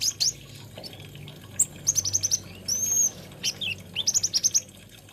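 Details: Olive-backed sunbird (kolibri ninja, konin) singing bursts of rapid high chips, five or six in quick succession, separated by a long thin whistle and scattered twitters; faint low hum behind.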